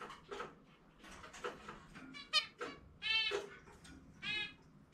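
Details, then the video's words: A caged-bird zebra finch loose indoors during free-flight time, singing its distinctive song: clipped buzzy notes followed by two louder, drawn-out nasal honks near the end. "キンカチョウ 個性的な鳴き声・さえずり ちゅみちゅみぺー"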